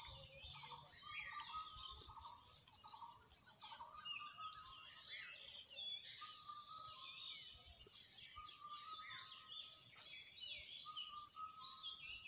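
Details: Kuhu-kuhu calling of an Asian koel during Jyoishtho, early summer: repeated short notes in spaced bursts through the whole stretch, set against a constant shrill insect chorus.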